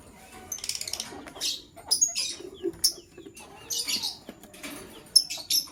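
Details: Lovebird chirping, a male choosing a partner in the morning: high, buzzy chirp bursts with thin whistled notes between, irregular and spaced through the recording.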